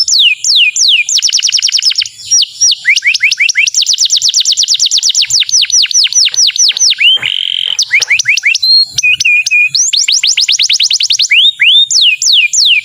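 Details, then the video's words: Excited male canary singing to prepare a female for mating: loud, continuous rapid trills of sharp descending sweeps, broken by brief pure whistled notes and a short rattling pause, then more fast trills. "اقوى تغريد ذكر #كناري لتجهيز انثى الكناري للتزاوج"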